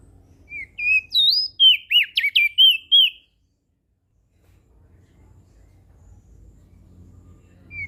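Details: One energetic phrase from a Lombok crested white-eye, used to prompt lazy birds to sing: about eight rapid, sweet, twisting whistles lasting three seconds, then near silence with a soft low hum and a single note at the end.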